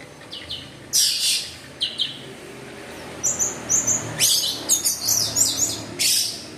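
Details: Orange-headed thrush in gacor teler song. Loud, very high scratchy bursts come first, then a run of rapid, quick-fire twittering notes repeated in quick succession.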